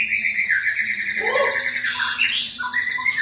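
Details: Champion white-rumped shama singing, used as a lure to provoke a response from young or sluggish shamas; long sustained whistled notes sliding up and down, a rising slurred phrase midway, over a faint steady low hum.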